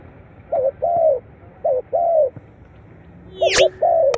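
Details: Spotted dove calls played to stimulate captive birds. Soft, low coos come in paired notes: a short note followed by a longer, slightly falling one, repeated three times. A sharp metallic click sounds near the end.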